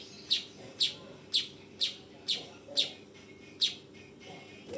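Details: A young weaver gives seven loud, abrupt chirps in quick succession over four seconds, then pauses before one more, over a steady low hum.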